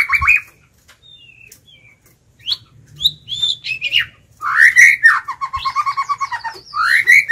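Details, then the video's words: Decoy White-rumped shama singing to lure and provoke wild birds: scattered soft, thin notes, then a loud sweeping phrase running into a rapid, steady trill of repeated notes and a final bright upslur. "Chích chòe lửa mồi hót gọi bổi"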